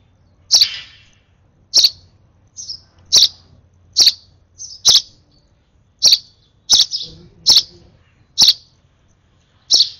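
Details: An over-excited baby sparrow being hand-fed at its last feed gives sharp, high chirps, each a brief burst followed by a short pause, repeated about a dozen times at uneven intervals. The background is quiet apart from a faint low hum.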